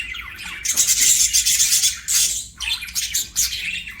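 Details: Budgerigar, a pet bird, pouring out a long, dense, hissy warble of high chirps, pausing once before another burst of scratchy chatter.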